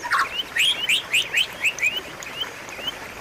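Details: White-rumped shama, a training recording for a caged bird that has stopped singing, with rapid whistled rising and falling notes around two to four kilohertz, repeated in quick bursts.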